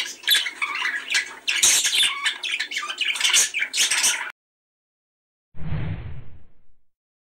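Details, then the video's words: Budgerigars, sound for stimulating mating: about four seconds of busy scratchy warbling and squawks, then silence, followed by a short low, muffled sound unlike the birds. "صوت تحفيزى لتزاوج طيور البادجى"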